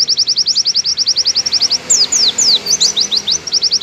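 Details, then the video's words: Oriental white-eye giving a long, clear 'nembak' song made for tutoring other white-eyes: a fast run of high, sharp falling chips, about three per second, then a few sweeping downslurred whistles before the chips resume. "MASTERAN PLECI nembak panjang dan suara jernih"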